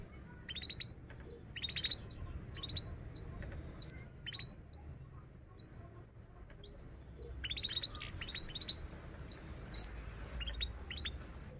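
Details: Canary in long continuous song used as a lure to teach young canaries to sing: rapid series of high upswept whistled notes and short buzzy trills, repeated over and over above a low background hum.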